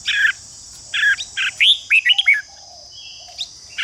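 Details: Red-whiskered bulbul delivering fighting song to rouse rivals into competitive singing: buzzy clipped notes leading into a fast string of bright, slurred whistles, then a pause and a lone note, over a continuous high whine.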